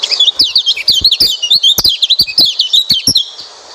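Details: Oriental white-eye song used as a lure to coax a quiet white-eye into singing: a fast, continuous run of high, thin chirps and twittering notes, interspersed with sharp clicking ticks, fading toward the end.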